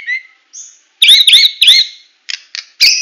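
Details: Medan-type white-rumped shama song in full tembakan style: a soft whistle, then three loud arched sweeping notes in quick succession, followed by brief buzzy bursts and a harsh rasping note at the end.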